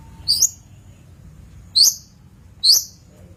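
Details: Three thin, high, upward-sweeping whistled notes from a long-tailed shrike, about a second apart, on a master recording meant for training birds, against a quiet background.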